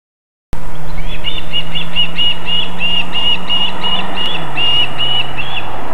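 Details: Wild ospreys landing at their nest in Võrumaa, South Estonia, near a fish farm and river, evening of 24 July 2021: a steady series of about a dozen clear whistled notes, evenly repeated, over a constant low mechanical hum.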